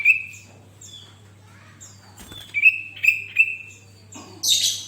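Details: Sooty-headed bulbul song for prompting other bulbuls: steady flat whistled notes repeated several times, soft downslurred chirps, a brief click, and a closing harsh, noisy burst.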